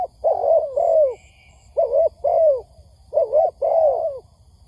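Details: Spotted dove cooing on a lure recording for trapping. Mellow, hollow phrases of linked coos, some drawn out and falling, repeated about three times with short gaps.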